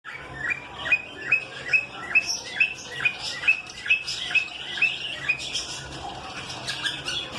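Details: Lovebird giving sharp, high chirps repeated about twice a second in a steady series, with softer chattering and a faint low hum behind.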